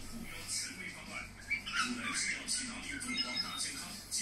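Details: A budgerigar warbles quietly, giving soft twittering chatter with a few brief whistled chirps and scratchy bursts, a low hum running throughout.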